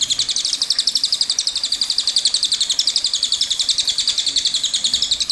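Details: High, rapid rolling trill from a cililin, its sharp chirped notes repeated around four times a second in one unbroken stretch of the long song.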